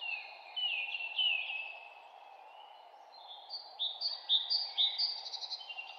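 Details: Forest birds in spring chirping: high, thin whistled notes and rising and falling trills, with a quick run of repeated short chirps near the end, over a steady low background hum.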